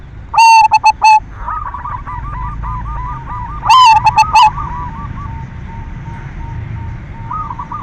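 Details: Lure song of a silver zebra dove, meant to stimulate other doves to sing: two loud, harsh clusters of stuttered coo notes about three seconds apart, with a steady run of gentle bubbling coos from other doves behind.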